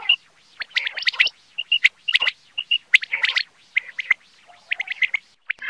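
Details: Quail used as a hunting lure in Pakistan, common quail: a busy string of high whistled pips and chirps, some short clear notes repeated in pairs, mixed with scratchy bursts, loud and near.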